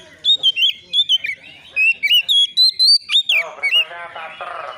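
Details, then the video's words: Agitated untrained Oriental magpie-robin answering a rival: quick repeated whistled phrases with slurred rises and drops and a steep upswept note, ending in harsh rasping chatter. "SEKETIKA ITU KACER BAKALAN LANGSUNG NYAUT EMOSI KONSLET!!!burung Kacer cari lawan"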